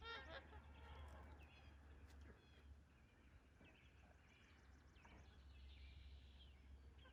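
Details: Trumpeter swans taking off at Rifle Lake on 28 April 2020 give scattered, horn-like honks in short bursts, fairly faint against a steady low rumble of wind, water or wingbeats.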